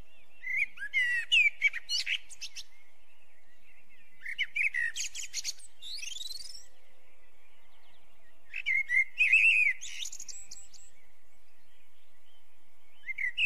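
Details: Eurasian blackbird singing: short phrases of low, mellow fluted warbling, each ending in high, squeaky twittering flourishes, given in about four bursts separated by brief pauses, against an otherwise quiet background.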